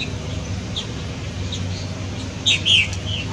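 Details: Purple martins at fledging time, when adults arrive to call the young out of their nest gourds, give scattered chirps ending in a short, louder burst of gurgling, throaty chirps, over a low rumble.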